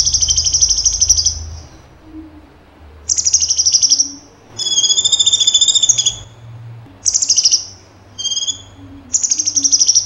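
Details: Cucak cungkok singing in energetic 'tembakan' style: high, rapid buzzy trills delivered as six short bursts over ten seconds, separated by brief pauses, one phrase doubled into two pitch layers, with a faint low hum beneath.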